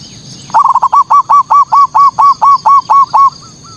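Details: A perched zebra dove sings a lure song meant to make local rival males agitated. It repeats about a dozen hooked, rolling coo notes, each roughly a quarter second apart, and ends with two softer notes. A constant high-pitched hum sits behind the song.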